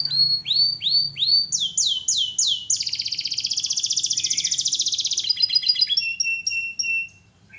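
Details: Canary singing steadily in a training recording: looping downslurred notes speeding up, a long fast rolling trill lasting over two seconds, then a few spaced whistled notes before quiet.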